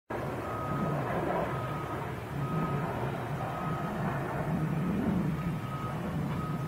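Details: Steady low engine rumble from passing vehicles, broken by a thin, repeated reversing beep.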